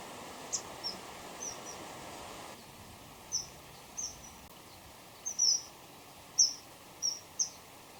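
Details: Common kingfisher song: a male and a female calling back and forth close together, thin, piercing high whistles, single or paired, at an irregular pace about once a second, over a steady hum and background noise.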